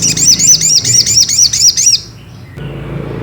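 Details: Ruby-cheeked sunbird singing to lure and provoke a rival into song: a quick, even series of high, sharp, swooping chips, roughly eight in two seconds, before stopping abruptly, leaving a low background murmur.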